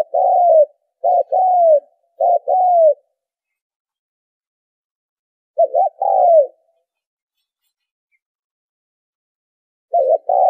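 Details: Spotted dove cooing meant to lure birds: three quick low coo phrases, each a short stutter then a drawn-out falling note, a long pause, then further phrases after silence.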